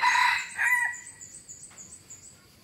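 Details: F1 hybrid junglefowl cock finishing a wild-toned crow with harsh, raspy final syllables, followed by near silence with a faint steady high-pitched hum.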